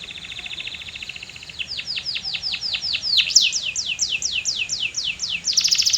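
Canary song: a fast rattling trill gives way to rapid series of bright down-slurred whistles, repeated about four per second, then a buzzy trill.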